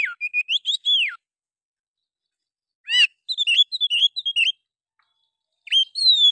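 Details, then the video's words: Oriental magpie-robin singing an agitated fighter song that provokes other birds to spread their tails: short phrases of steady whistles and a falling slur, a long pause, then rapid twittering notes and a final whistled phrase. "suara Kacer bikin burung lain terpancing buka ekor"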